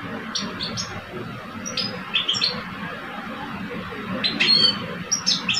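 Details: Caged male European goldfinches, one mature and one aged two, in a song contest. Sparse, fairly quiet high chirps and short twittering bursts, the fullest phrase near the end, against a noisy hum.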